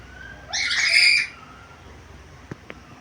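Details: Black-capped lory, described as vocal and able to talk with varied sounds: one loud, grating squawk lasting under a second, followed by two faint clicks.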